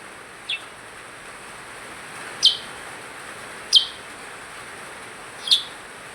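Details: Percang in full voice: one faint high chip, then three louder sharp chips spaced about a second and a half apart, with soft steady hiss behind.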